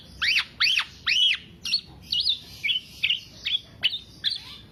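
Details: Black-naped oriole singing as a lure for keepers' songbirds: three loud arched, buzzy notes, then quicker twisting chirps spaced about half a second apart.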